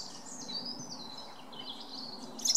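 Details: A European robin singing at night gives thin, high, liquid warbling phrases that run unbroken over a faint background hum, ending in a brighter burst.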